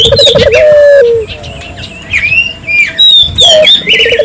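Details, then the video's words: Dove calling briskly, recorded to spur local doves into calling; one trilled coo ends in a long held note, another trill starts near the end, with many sharp high chirps and whistles from other birds between. "suara burung puter gacor,merangsang burung puter lokal ikut gacor"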